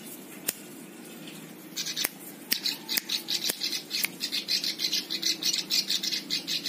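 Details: Plain prinia (ciblek sawah) tutor song for teaching other birds: several sharp clicks at first, then a long, quickening run of buzzy, high pulsed notes.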